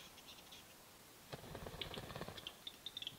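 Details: At a lek in East Lapland, Finland, in spring 2022, a male capercaillie displays: dry, knocking clicks quicken into scratchy, grinding rattles, with a few thin high notes above.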